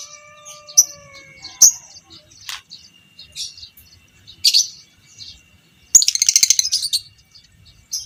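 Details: Lovebird, violet Pb creamino fighter, chattering to serve as a training master for other lovebirds: scattered sharp high chips, then a fast rattling chatter burst near the end, over a faint continuous tone.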